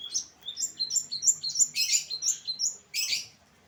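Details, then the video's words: Long-tailed shrike singing in the late afternoon: a quick run of high, thin, varied chirps and short whistled notes, several each second, with a louder cluster near the end. "Kicauan Cendet di Sore Hari"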